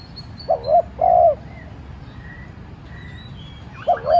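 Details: Spotted dove used as a decoy, cooing to draw answers from other doves: a two-note coo phrase, a pause filled with faint high bird whistles, then another phrase starting.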